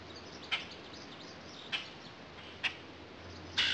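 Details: Backyard common grackle repeating brief sharp chack notes roughly every second, then a harsher, broader squawk at the end; a constant low hum sits underneath.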